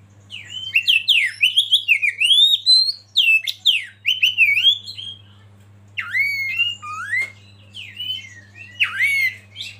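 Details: Kacer (Oriental magpie-robin) as a lead bird to excite other birds into song gives clear, sliding whistled phrases in lively runs, then softer, spaced notes later; steady low hum throughout.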